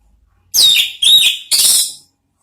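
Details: Orange-headed thrush singing in the ngeriwik style, used as a trigger to draw out ngeplong sounds: three loud, high whistled phrases with bright downward slurs, each about half a second long, on a silent background.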